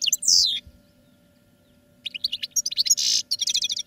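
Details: Caged European goldfinch singing during training: a descending liquid note, a pause, then a rapid twittering burst of clipped, tinkling notes with a buzzy trill, over a faint steady electrical hum.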